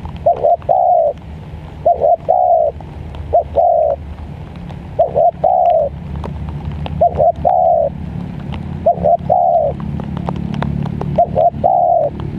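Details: Zebra dove singing in the rainy season, repeating paired short coos and longer trilled notes roughly every one and a half seconds, with faint clicks and a low background rumble.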